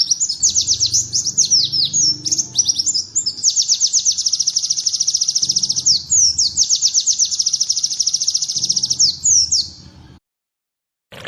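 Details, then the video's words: White-eye song imitating a bar-winged prinia, a training model for other birds: brief varied twitters, then a sustained high, rapid, pulsing trill running about seven seconds. It fades out around ten seconds into silence. "MASTERAN PLECI TEMBAKAN CIBLEK"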